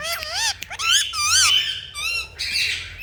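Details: Indian ringneck parakeet kept as a pet calling in long, wavering, screechy notes that rise and fall, several in a row with short gaps, a faint low hum beneath.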